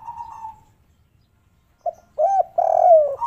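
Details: Red turtle dove calling in the local kuk 3 style: a short coo, a pause, then a quick clipped note followed by a longer, throaty, descending coo with a final rising note.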